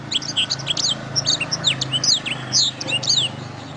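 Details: Canary song for training songbirds: loud, dense high chirps, swooping whistles and trilled notes in quick succession over a faint low hum.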